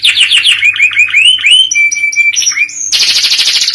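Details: Canary singing in the newer cengkok style: a flurry of falling chips, rising whistles, a clear held flat note, a slurred upward glide, then an abrupt switch to a loud, fast, high rolling trill.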